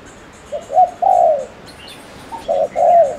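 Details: Decoy spotted dove from Ninh Thuận, Vietnam, in fast provoking coo aimed at male birds: two phrases of short hoots leading into a long descending coo, with faint high chirps from other birds behind.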